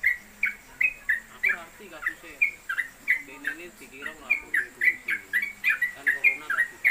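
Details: Caged Yellow-vented Bulbul (trucuk), a newcomer tutor bird kept at home and on a hanging pole. Its sustained 'konslet kemedol' song appears as repeated sharp, falling whistles, some uneven, mixed with overlapping conversation.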